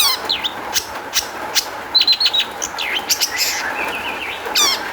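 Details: Varied song of a long-tailed shrike, played as a lure so other shrikes respond: jumbled high chirps, short buzzy trills and sweeping whistled slurs in quick succession, over a low steady hum.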